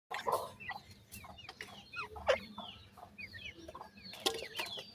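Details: Indian grey francolin (gora teetar) chicks giving sweet, high thin peeps, some curving up and some sliding down, scattered irregularly, with sharp clicks and knocks around them.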